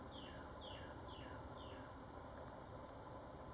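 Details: A migrant wood thrush (Hylocichla mustelina) at Pasco Palms Park, Holiday, Florida, on 22 April 2014 gives four quick, high, downslurred call notes, about one every three-quarters of a second, over a steady low rumble of distant traffic.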